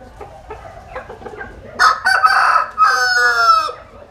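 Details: Soft clucking from a Vietnamese farmyard flock gives way to a loud, two-part rooster crow, the second part a sustained, richly harmonic note lasting about a second.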